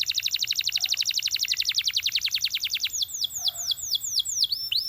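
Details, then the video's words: Canary song beginning with a very fast, even rattle of sharp notes, then slowing into separate ringing, downward-curving whistles, clear against a quiet background. "Υour Canary Will Sing UNSTOPPABLY"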